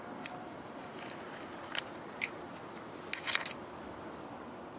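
Sharp, scattered clicks and brief crackles, like handling or camera noise, over a quiet hiss, with no animal voice heard.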